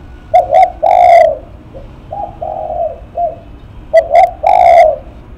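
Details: Spotted dove, named a face-shaking cooer, gives two loud three-part coo phrases of two short notes and one long coo. Between them a softer, more distant dove coos several notes.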